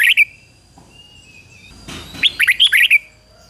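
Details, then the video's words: Red-whiskered bulbul used as a decoy for wild bulbuls, one short note followed after a pause by a brisk burst of five to six clear whistled notes, with a faint thin whistle of another bird in the background. "Chào mào mồi gọi bổi 20 phút Chào mào mồi hót gọi bổi đỉnh cao chuẩn nhất"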